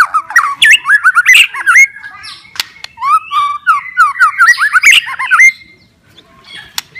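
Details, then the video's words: White-rumped shama song played to stimulate reluctant or stressed shamas; rapid runs of slurred, up-and-down whistled notes and sharp clicks, dense chattering mid-clip, fading to near quiet at the end. "MURAI BATU MALAS BUNYI,, STRES,, DENGARKAN OCEHAN INI,, PASTI GACOR LAGI"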